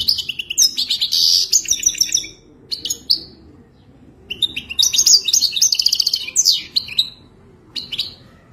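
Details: Captive-tutoring mating song of a European goldfinch: lively bursts of fast twittering with buzzy trills, short pauses between phrases and single notes scattered in the gaps.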